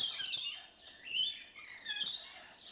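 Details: Rainbow lorikeets settled in a new spot produce continuous grating, high chattering screeches that swell twice into louder bursts.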